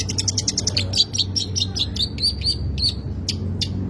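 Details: Long-tailed shrike in full, disorderly song with abundant material: a run of quick high ticking notes, then repeated thin whistled phrases with brief ringing trills, steady low hum behind.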